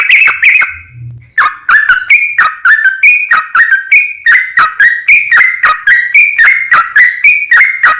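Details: Yellow-vented bulbul, known locally as trucukan, in a long rapid ropel song used to coax other bulbuls into singing: loud, bubbly whistled phrases, each a quick rising-falling burst, repeated about three to four times per second with a brief pause near the start.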